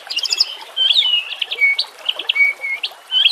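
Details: High-pitched shama song, recorded with natural sounds and trickling water as training material: chattering bursts interleaved with level clear whistles, roughly one phrase per second.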